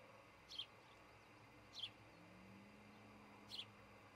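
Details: Osprey at a nest in Charlo, Montana, filmed by a nest camera on 26 June 2018 shortly before 6 a.m.; three brief, high, sharp chirps spaced irregularly over a steady low background hum.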